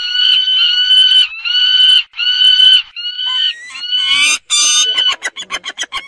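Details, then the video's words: Peregrine falcon uttering long, drawn-out whining notes, each about a second, then a burst of harsher, broken squeals and a quick stutter of short notes at the close. "صوت صقر الشاهين"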